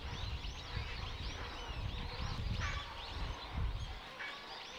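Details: Many grey herons gathered to breed at a colony in the Hokkaido zone of Kushiro City Zoo, recorded 23 March 2022 at 12:45 from a distance; dense overlapping harsh squawks and croaks, with low rumbling background noise.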